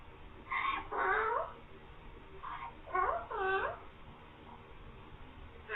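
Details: Green parrot speaking "mian mithu" and "meow" in short bursts: several quick, throaty syllables with bending pitch, some grouped in pairs, scattered across a quiet interior background.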